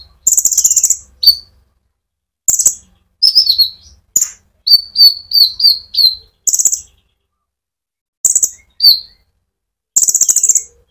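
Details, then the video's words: Sunbird singing to excite other birds: loud buzzy high chirps in clusters separated by short pauses, with a central run of five quick descending notes. "pancingan Burung Konin gacor ngerol"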